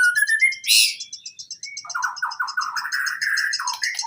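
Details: Training song of a white-rumped shama meant to spur birds that seldom sing: a rapid ticking series of high notes runs throughout, broken by a loud harsh burst, under a stream of mid-pitched slurred phrases.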